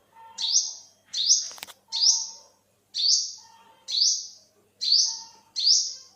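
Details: Seven shrill, upswept olive-backed sunbird notes over six seconds at an uneven pace, each fading into a thin buzz, with a single sharp click early on.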